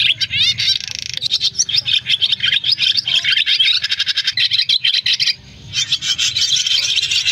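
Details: Swiftlets in a flock-calling roosting recording used as a lure: a dense, continuous chorus of high, rapid chirps and clicking trills, with many birds calling over one another.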